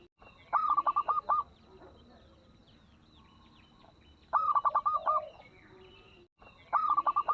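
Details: Lure recording of a local zebra dove with a small voice, played so other doves start singing: three spaced bursts of fast, clipped cooing notes, one ending in a deeper purr, with soft bird chirps behind.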